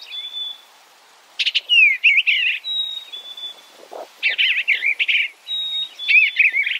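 An Eastern bluebird gives thin, steady whistles that alternate with quick, bubbly warbled phrases. The phrases are mid-high and come in bursts every second or two.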